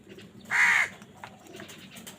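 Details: A crow in a fight over food gives one loud, grating caw lasting about a third of a second, followed by faint scattered sounds.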